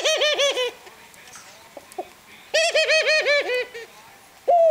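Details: Burt, a 19-year-old male ringneck (Barbary) dove, gives two bursts of quick, rolling, nasal giggle notes, about eight a second, each lasting roughly a second, then a single longer coo.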